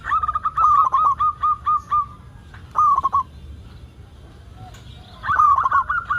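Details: Singing local zebra dove, used as a lure for other zebra doves: a fast, regular string of level coos, a short stuttered phrase, a quiet gap, then a new bright, rippling run of notes.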